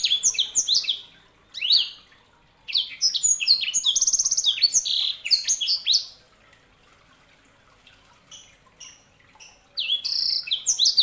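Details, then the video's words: A sanger, a canary-hybrid cagebird, delivering long busy strophes of high, sweet chirps, trills and downslurred whistles, interrupted by short silences before resuming. "KICAUAN SANGER"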